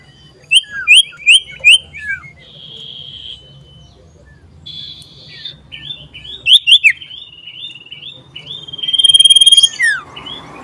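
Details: Common iora singing loudly while looking for a rival, recorded 27 December 2022: rapid series of sharp downslurred notes, flat buzzy trilled tones, then a long, even trill and a loud stuttering burst near the end.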